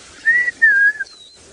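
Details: Rufous-naped Lark in the Masai Mara on a sunrise drive around 7 AM, 6 January 2018, giving two clear, sweet whistles, the second sliding slightly lower, then a thin, higher whistle, all within about a second; first thought similar to a monotonous lark.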